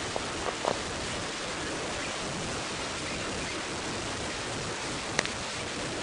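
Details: Steady broadband hiss like rain or running water fills the whole recording, broken by a few sharp knocks near the start and one near the end, with no animal voice heard.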